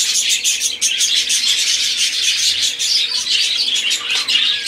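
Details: Budgerigar song from several birds, a lively stream of high twittering, grating chirps and quick squeaks overlapping without a break.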